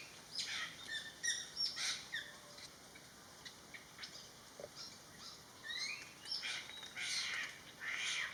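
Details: A Greater Racket-tailed Drongo (Dicrurus paradiseus), a noisy daily visitor to a garden pond in western Thailand, gives an irregular mix of bright chirps, sharp whistles and metallic notes, about one a second, over faint hiss.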